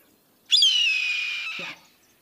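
A single hoarse, raspy scream from a Red-tailed Hawk, starting high and slurring downward for just over a second, ending with a faint low thump.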